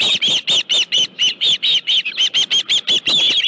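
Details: Steady, rhythmic series of about fourteen shrill, whistled chirps, roughly four per second, from an osprey at its nest with a live fish, 25 July 2018, around 5:23 PM.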